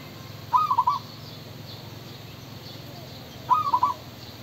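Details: Male spotted dove calling: two short phrases of about four quick, mellow coos, the last notes clipped. The phrases come about three seconds apart over a faint steady low hum.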